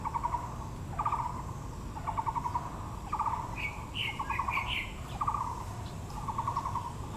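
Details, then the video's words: Taiwan blue magpie in Yangmingshan National Park, Taipei, with flowering azaleas: a steady run of short rattling trills about once a second, joined midway by a burst of higher squeaky, chattering notes. "台北 陽明公園 (藍鵲+杜鵑花)(Natural sound)"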